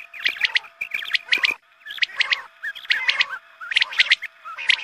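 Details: Dawn-prayer quail lure: loud clustered chirps in bursts roughly every second, several birds overlapping, with short pauses between groups and a steady faint hum.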